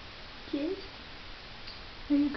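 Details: Talking pet African grey parrot says two brief human-like words, mid-pitched, about a second and a half apart, in a quiet room; its words include "hi" and "want some more".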